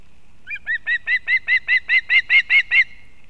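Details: Female osprey bringing a fish to the chick at a Latvian nest in Kurzeme on 31 August 2024; about eleven ringing, arched whistles, beginning softly and quickly becoming loud and evenly paced.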